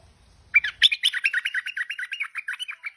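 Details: Tame stripe-throated bulbul pours out a fast, even string of bubbly chattering notes, about seven per second, continuing to the end.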